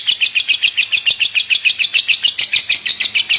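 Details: Caged-style pet lovebird performing 'batuk', a cough-like call kept up without a break; sharp, high, pulsed notes repeat very evenly, about three to four per second, each a quick scratchy burst.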